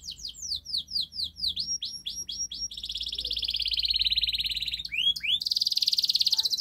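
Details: Canary in vigorous training song meant to coax a quiet canary into singing: a series of falling whistled slurs that runs into long rapid buzzy trills, then a brighter high rolling trill.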